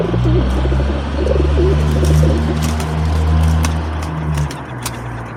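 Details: Feral pigeons feeding and fighting at a balcony bird table, recorded on an action camera; low wavering coos run through the first seconds over a steady low hum and background noise, with brief clicks and scuffles.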